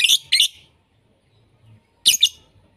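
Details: Lovebird screeches in a mixed recording used to lure and tutor lovebirds: two harsh, broadband shrieks close together, a pause of over a second, then a further rasping double burst against near silence.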